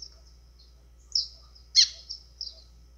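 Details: White-throated seedeater singing azulão-style, for exciting birds: soft high notes, then a strong sharp downslurred note and a few quick chips.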